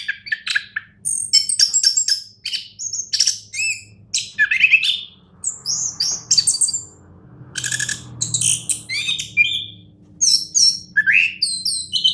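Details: Sustained song from a champion orange-headed thrush: twelve seconds of rapid, varied phrases, mixing sweeping whistles, high thin notes and chattering bursts with barely any pause, over a soft low hum.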